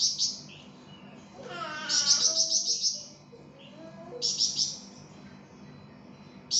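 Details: Flamboyan (pied fantail) in vigorous song as a training recording: a brief chirp, then a run of quick high notes over a lower rising whistle, followed by another short burst.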